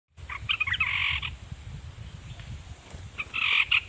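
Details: Caged red-whiskered bulbul used as a decoy, singing at wild birds: two short bursts of bright, warbling notes, one early and one near the end, with a steady low rumble of background noise throughout.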